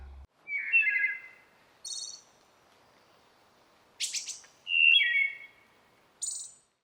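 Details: Wood Thrush in Maine singing two phrases, each opening with low, fluty notes and ending in a high, buzzy trill, with a few seconds between phrases in a quiet forest.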